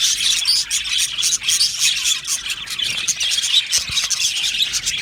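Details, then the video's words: Colony of Australian budgerigars in an aviary, producing a dense, continuous high chatter of warbles, chirps and short squeaky notes, many birds overlapping without pause. "Budgie parakeet sounds | Budgie Singing Sounds | Budgie Chirping Sounds | Budgie Talking sounds"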